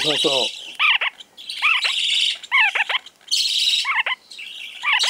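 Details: Lively lineolated parakeet newly arrived at a pet shop, giving short, bright chattering calls in quick bursts, with a hissy, noisy background throughout.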